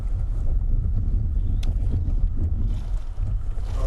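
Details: Steady low rumble of wind buffeting the microphone, with engine or water-vehicle noise and a brief sharp tick near the middle; no animal voices.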